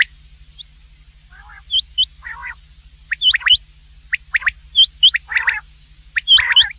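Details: Common quail (batair) at night, a call used in hunting: short upward-hooked whistles and crisp clipped notes in twos and threes, mixed with soft raspy growls, over a faint continuous hum.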